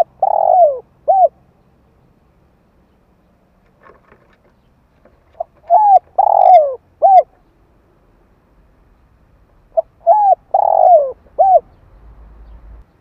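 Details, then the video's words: Spotted dove call used to stimulate decoy birds and train young doves: three phrases roughly every four and a half seconds, each a soft note then three coos with a long, rolling, falling middle coo. Faint extra notes between phrases, low rumble at the end. "Chim cu gáy gọi kích mồi dợt bổi hiệu quả"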